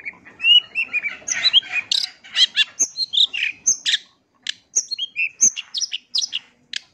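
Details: Vigorous lure song of a long-tailed shrike meant to make rival shrikes respond: a rapid jumble of sharp chirps, slurred whistles and scratchy notes delivered almost without pause.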